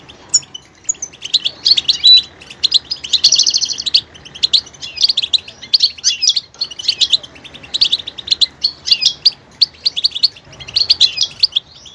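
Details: Goldfinch singing a varied song that switches between different sounds with added vocal details: rapid, high twittering phrases and buzzy trills in dense bursts, short pauses every second or two, continuous throughout with no other clear sounds.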